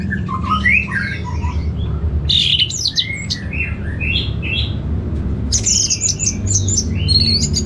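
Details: Orange-headed thrush kept in a cage in Bali, Indonesia, giving a lively varied song of quick whistles, slurs and chirps in bursts, over a constant low background hum.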